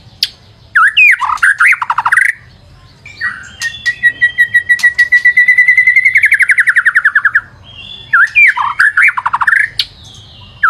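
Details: Lure song of an actively singing white-rumped shama. Fast warbled phrases surround a long steady train of rapidly repeated whistled pulses lasting several seconds, followed by more chattering, swooping notes.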